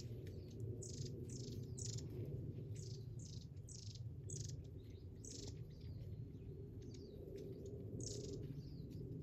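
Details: Several small birds of various species calling from inside a dense thicket: quick, high chirps and short twittering notes in bursts every second or so, over a steady low rumble.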